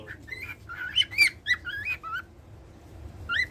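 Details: Pet cockatiel singing, as it does every day: a run of short whistled notes that slur up and down, with a brief pause and then a final rising whistle. A faint low hum sits underneath.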